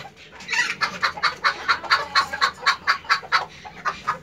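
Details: Hen laying an egg, giving a run of sharp clucks roughly every quarter second, steady and insistent, with a faint low hum underneath.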